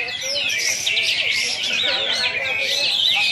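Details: Singkawang, Indonesia, contest launch: a champion kapas tembak bulbul in besetan mode, pouring out quick, bright chattering whistles without a break, with soft background talk underneath.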